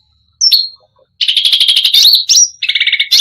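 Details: Cucak rante song, full and energetic and said to provoke other birds: a single high slurred whistle, a pause, then a dense buzzy trill running into sharp slurred notes.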